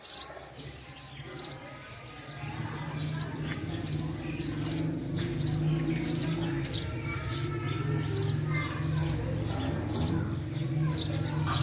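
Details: A male house sparrow gives quick, repeated high chirps, roughly two a second, sharp and clipped, over a constant low mechanical hum.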